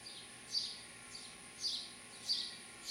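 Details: House sparrow chicks in a birdhouse in Lenexa, Kansas, 27 July 2012, give high, scratchy begging chirps in short bursts about every half second to second as a parent feeds them, over a thin steady hiss.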